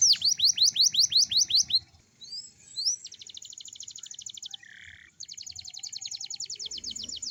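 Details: Young canary in the morning, singing as a prompt for young canaries. A run of falling whistled swoops leads into long, even, rapid mechanical-sounding trills with a brief break between them.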